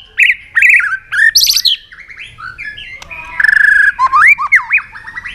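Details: White-rumped shama singing hard in fighting mode after provocation: a rich, varied run of loud whistled phrases, rapid warbled notes, a long steady whistle and looping slurred notes.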